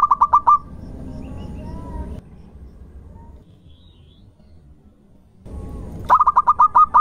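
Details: Zebra dove of local stock singing as a lure for other birds: a short burst of quick coos at the start, a long quiet gap with faint background hum, then a second phrase of seven rapid coos.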